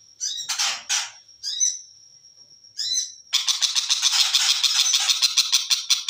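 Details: Long-tailed shrike of the type locally called cendet macan: short harsh, buzzy bursts and a long, pure, steady high whistle, then a dense rapid chatter of scratchy notes repeated about three times per second.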